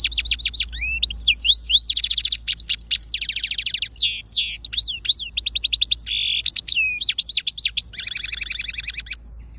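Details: European goldfinch, Quetta and Afghanistan: long, rapid, continuous song of tinkling twitters, fast downslurred chips, nasal buzzy notes and trills, almost without pause for nearly ten seconds.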